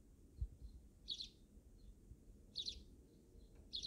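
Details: Backyard wild sparrows chirping in brief, bright double notes roughly every one and a half seconds, with low thumps and rumble underneath.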